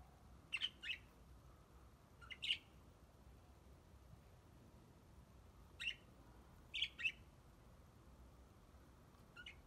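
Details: Budgerigars kept in an aviary give short, sharp chirps in scattered pairs every second or few seconds, quiet against a steady low background hum.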